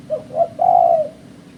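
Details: Spotted dove used as a lure for bird trappers gives one phrase: two short rising coos, then a long steady low coo that fades away, with only a soft background hum.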